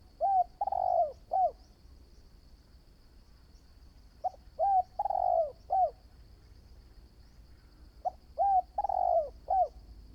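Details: Spotted dove, a new bird taken out for decoy training, coos three phrases about four seconds apart, each a few short hollow notes around a longer, drawn-out falling coo, with a faint steady high whine behind.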